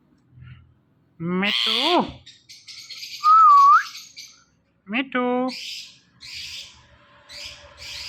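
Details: Talking pet ring-necked parakeet making sounds: nasal, speech-like squawks, a single rising whistle, then raspy chattering notes, with a person's voice in the room.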